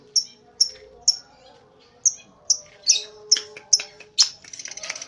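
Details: Lovebird giving a short chatter: sharp high chirps repeated about twice a second, uneven spacing, ending in a brief buzzy rattle; a faint low tonal hum runs underneath.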